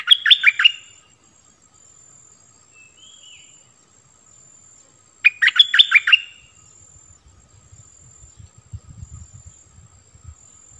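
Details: Bulbul kept as a decoy to draw wild birds down, 16 March 2021, giving two short bursts of rapid, bubbly chirps about five seconds apart, with a soft low rumble afterwards.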